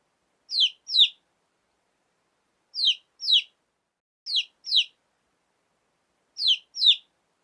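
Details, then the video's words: Chicken chick calling in clean, shrill peeps, each a pair of sharp falling notes, with the pairs repeated every one to two seconds and silence between them. "lovely hen baby chick /chicks chirping sound /murgi baby /chicks sound /hen baby sound"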